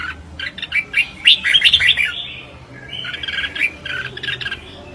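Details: Red-whiskered bulbul singing competitively (chào mào hót đấu): lively run of chirpy, warbling whistled notes, rising and falling, then a second rolling phrase after a brief pause, over faint background hum.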